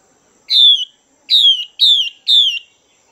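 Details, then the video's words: A hen Chinese hwamei used to stimulate males utters a lone downslurred note, then three more in quick succession, each clear, high and falling, against near silence. "Chim Hoạ Mi Mái VIP Chùi Kích Bổi Căng Lửa Mái Gột Chiến"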